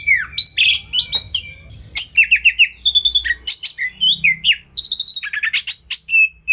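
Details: Training song of a white-rumped shama (kacer): a loud whistled phrase, then stacked ringing notes, descending slurs and rapid staccato chips, delivered in lively bursts over a quiet low hum.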